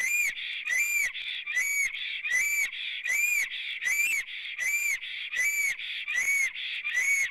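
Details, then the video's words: Black stork singing at its nest in Latvia on 9 April 2017 at 14:03, with the female apparently present, before lying down in the nest; loud, wheezy whistled notes, each with a rising-falling arc, repeated about once per second in a steady series. "Melnais Stārķis Ozols sings~lies down in nest"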